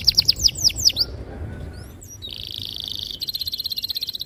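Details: Canary song for teaching young canaries: a burst of fast descending whistled notes, a quiet gap, then a steady buzzy roll turning into a rapid pulsed trill.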